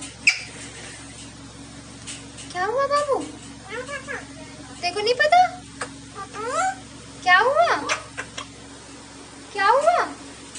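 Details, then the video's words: Talking parrot producing a run of about seven high, wavering, speech-like phrases spread over ten seconds, each a quick chevron-shaped syllable cluster, with a low constant hum in the room. "Talking parrot | Bolne vala tota | बोलने वाला तोता"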